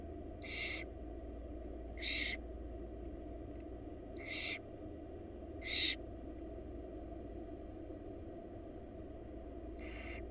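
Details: Barn owl chicks begging while being fed by their mother in a wild Florida nest box repeat short harsh hissing screeches, five in about ten seconds at irregular intervals, over a low continuous hum.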